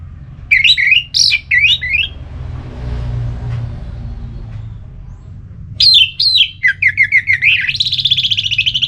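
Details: Orange-headed thrush singing in ngeplong style to trigger another bird's song: sweeping downslurred whistles in quick succession, a quiet gap, then rapid varied phrases ending in a fast, dense trill, with background rumble.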